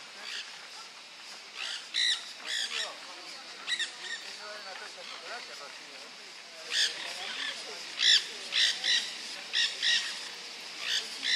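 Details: Nanday parakeets at Costanera Sur, Buenos Aires, Argentina, in March 2022: a series of harsh, buzzy squawks in short bursts, loosely grouped and repeated irregularly, some louder and nearer than others, over a steady background hiss.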